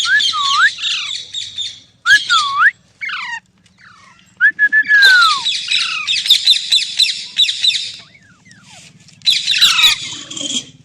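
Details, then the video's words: Green parrot giving natural sounds: harsh rasping squawks mixed with clear downslurred whistles and short chirps in bursts, with quiet pauses between, over a faint low hum. "Green Parrot Talking Natural Sounds | Mitthu Ki Awaaz | Tote Ki Awaaz"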